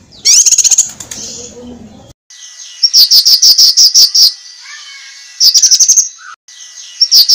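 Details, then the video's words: Cucak kinoi master song for training competition birds: a high rising trill, then nine evenly spaced piercing notes, a soft lower falling whistle, and further quick high trills after brief cuts. "suara masteran cucak kinoi"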